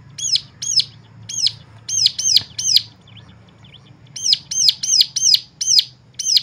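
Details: High, sharp chirping from a bird, played to provoke other birds to sing. Chirps come in two bursts of several notes each, separated by a quiet gap of about a second and a half, over a soft low rumble.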